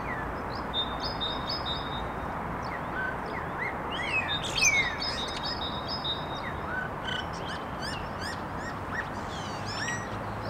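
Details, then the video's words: Common starlings in a singing trio deliver a busy medley of clicks, chirps and slurred whistles with irregular phrasing, some notes sliding sharply downward, against constant outdoor noise. "Скворцы музыкальное трио"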